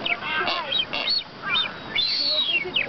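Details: Courting Blue-footed Boobies on Española, Galápagos, the female showing where she wants to nest and the male showing off: thin, high whistles arch up and down, about six in three seconds, over lower, nasal honking notes.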